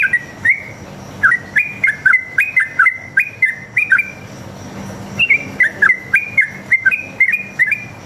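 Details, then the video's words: Sooty-headed bulbul, wild fighting style, singing long rapid phrases as a lure: crisp paired whistles rising and falling, a gap of about a second near the middle, then a fresh run of bouncing notes. "PANCINGAN trucuk gacor ngalas tarung ropel ini paling ampuh buat masteran trucuk agar nyaut bunyi"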